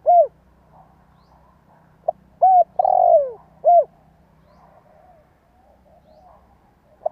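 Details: Calling spotted dove used as a lure to set other doves cooing: one arched coo, a pause, then a phrase of a short note, arched coo, long burry falling coo and arched coo, with soft background murmur.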